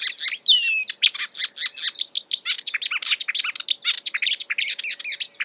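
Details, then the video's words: Song of a marsh warbler copying other birds, a dense, unbroken torrent of scratchy, chirping and whistled notes, with a clear descending whistle near the start. "A marsh warbler (Acrocephalus palustris) imitating other birds"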